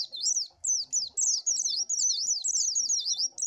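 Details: High sweet warbling of an Oriental white-eye used as lure sound, a nearly continuous stream of quick zigzag notes with a brief pause near the start.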